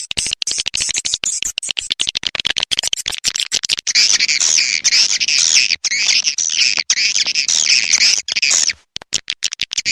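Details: During the rainy season, swiftlets first produce a quick train of sharp clicks. These give way to a long, loud, buzzy chittering with warbling high notes, then fade back into clicks.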